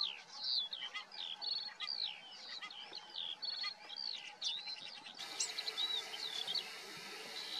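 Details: Common starling pouring out looping whistles, rattling clicks and quick warbled phrases, then thinner whistled notes as a broad hiss rises in the background for the last seconds.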